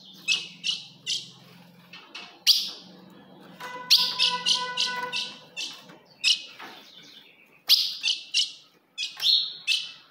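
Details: Ultramarine grosbeak, a female's provoking call for a male: rapid bursts of bright chips, some in quick runs, over a steady low hum, with a brief buzzy tone midway.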